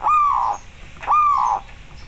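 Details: Local zebra dove calling as a training master to stir other doves to breed and sing; two drawn-out, steady low cooing notes about a second apart, clean with little background.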